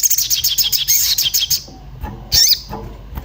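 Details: Agitated orange-bellied flowerpecker calling while seeking a companion, used as a lure to prompt singing: a fast run of high, thin chirps followed by a sharp high cheep, with faint low thumps.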